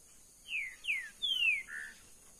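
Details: Green-winged saltator kept in a cage gives a short song of four whistled notes, each sliding down in pitch, the third longest and the last lower and flatter, over a faint hiss.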